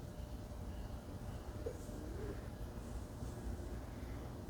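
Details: A low, continuous rumbling background noise with no clear animal calls.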